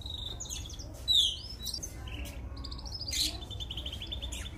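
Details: A young Mosaic canary, singing for training, gives bright, high phrases: quick rattling trills, a rising whistled sweep and a long run of rapid repeated notes, over a steady low hum.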